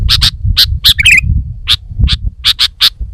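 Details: Bulbul, sooty-headed, delivering quick doubled clicks and one short trilled flourish, notes coming roughly every quarter second, against a low constant rumble.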